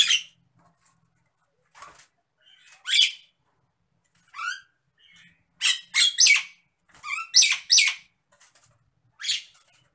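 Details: Nias hill myna, a bird known for a varied voice and whistles, in an agitated state, mixing harsh squawks with short upward-sweeping whistled notes in an irregular, busy sequence.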